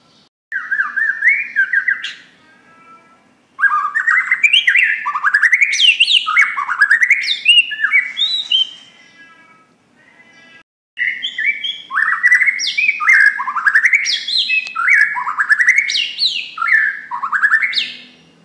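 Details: Borneo white-rumped shama in loud song, used as a lure for other birds: long runs of rapid rising whistled notes in repeated phrases, broken by two brief pauses, rich and varied.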